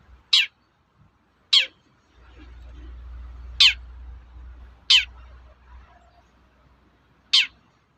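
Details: Cendet toet-toet call of a long-tailed shrike, meant to trigger song in other shrikes: five scratchy falling notes at uneven intervals of one to two and a half seconds, with a low droning hum in the middle stretch.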